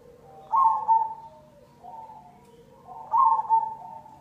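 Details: Zebra dove (perkutut cemani) singing a lure song: a loud trilled double coo, a softer mid phrase, then a second strong double coo roughly two and a half seconds later.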